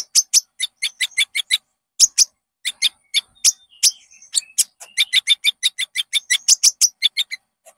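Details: Konin song used as a lure to get caged birds singing: rapid series of sharp, high chirps and clicks in bursts, with short buzzy trills and thin whistles woven between, clean background.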